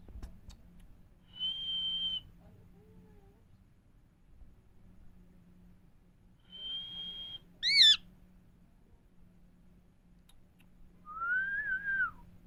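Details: Indian parrot talking: two level, high whistles spaced apart, then a sharp shrill squawk, and later a rising-falling whistled phrase, separated by long quiet gaps with a low hum.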